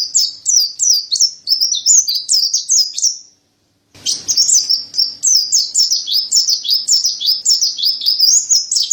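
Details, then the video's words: Mountain white-eye, known as pleci dada putih or montanus, delivering long energetic bursts of high twittering song, notes rolling several per second, broken by a half-second silence before the warbling restarts; faint low hum behind. "Terapi Burung Pleci Dada Putih Gacor | Masteran Pleci Montanus"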